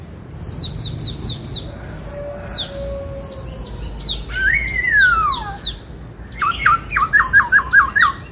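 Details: Singing in the bắt cô trói cột manner, a white-cheeked laughingthrush mixes high thin repeated chips, a long slurred falling whistle, and a closing rattle of seven quick repeated notes.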